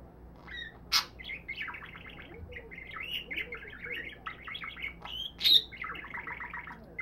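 A budgerigar warbles a rapid, chattering stream of high chirps, clicks and squeaky notes.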